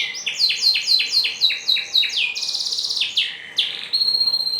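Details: Canary song used to train canaries to sing quickly: a series of rapidly repeated descending whistled notes, followed by a buzzy rattling trill, then sliding whistles and a sustained steady tone at the end.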